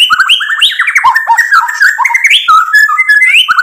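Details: Lively white-rumped shama song packed with filler material, played to goad rival birds into replying. Rapid, tumbling, slurred whistles swoop up and down in an unbroken, varied stream.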